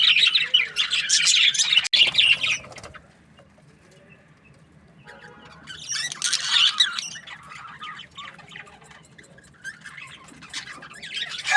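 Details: Breeding pairs of budgerigars chirping: bursts of dense, high chattering and squawky warbles in the first three seconds and again from six to seven seconds, with quieter scattered chirps in between.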